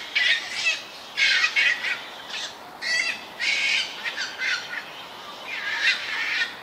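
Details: Young black-crowned night herons at a cormorant and heron colony on a bird island in a Tokyo park canal, 1 June 2023, give harsh, rasping squawks in uneven half-second bursts, several voices overlapping and restarting every second or so.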